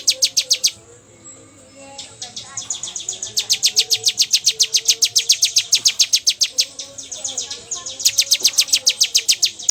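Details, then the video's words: Bar-winged prinia in the 'bocor' song style, pouring out fast strings of high, dry chipping notes at a steady beat of about three or four a second, with brief gaps and soft lower chirps behind. "Burung Ciblek Bocor"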